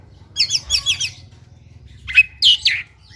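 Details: Fighting oriental magpie-robin in ngobra style, full of borrowed phrases: a rapid series of four buzzy trilled notes, a pause, then sharp rising and falling whistled calls.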